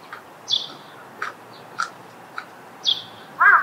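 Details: A common moorhen at a pond in spring gives its loud calls: two high rasping notes a couple of seconds apart, a few short ticking sounds, then a louder croaking burst.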